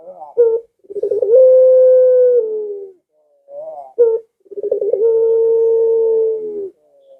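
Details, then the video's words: Barbary dove coo, used to tempt pet doves at home into calling: a short clipped note, then a rapid rolling stutter leading to a long level coo, repeated twice with quieter rising notes between. "Suara Burung Puter Ini Memikat Puter Anda Dirumah Sehingga Ikut Bunyi"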